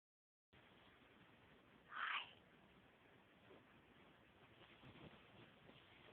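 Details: A macaw gives one short, raspy, cough-like squawk lasting about a third of a second, a mock "deathly cough" that may not mean illness, with only faint room hiss around it.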